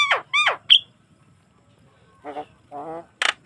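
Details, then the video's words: Lively Javan myna song for prompting other mynas: two harsh, falling squawks and a bright whistle, a pause, then nasal croaking notes and a final pair of hissing bursts. "ocehan burung jalak kebo yang bikin lawan ngikutin bunyi langsung"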